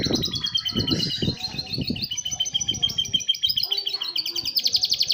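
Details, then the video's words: Atlantic canary singing in a lovebird-imitating style with fast, tightly packed delivery: rapid high trills and buzzy repeated notes sliding between pitches, with low thumping handling noise in the first half. "kenari suara lovebird speed rapat"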